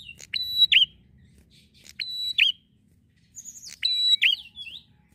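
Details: Lively drawn-out song of a Bar-winged prinia used to lure prinias: three phrases of a flat whistle ending in a sharp swoop, spaced about one and a half seconds, with a thin twittering warble near the end.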